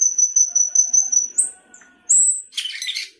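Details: Sooty-headed bulbul singing 'gacor isian': a steady run of high, clear pulsed whistles about six per second, a rising squeal, a long sharp whistle, then a coarse chattering burst.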